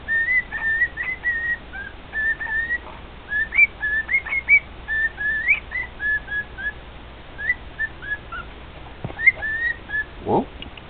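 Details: Singing to two other pet cockatiels, a male cockatiel repeats short bright whistles, some rising and some falling, in quick clusters separated by brief pauses, with a low thump near the end.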